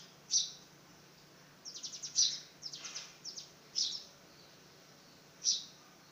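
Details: Fledgling house sparrow on its first flight attempt, uttering isolated piercing chirps with a stuttering run of quick notes in the middle, then single chirps again.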